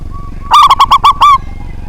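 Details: Loud local zebra dove, used to goad rival birds into singing, delivers a single crisp phrase: five fast, clipped coo notes, the last one slightly drawn out, against quiet low background hum.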